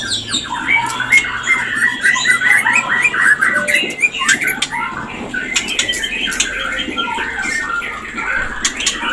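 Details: Mating call of the white-rumped shama, used to stir breeding urge: dense, rapid chattering and whistled phrases, busiest in the first half, then scattered sharp clicks and thinner notes against a steady hiss.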